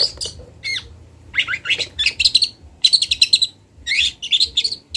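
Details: Long-tailed shrike from Kendal in full song with imitated phrases: rapid rattling trills and chattering bursts, a few descending whistles, loud and dense with pauses between phrases.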